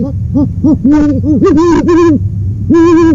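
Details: Owl calling in a busy sequence, soft clipped hoots leading into longer resonant hoots that follow closely one after another, then a final sustained hoot after a short gap.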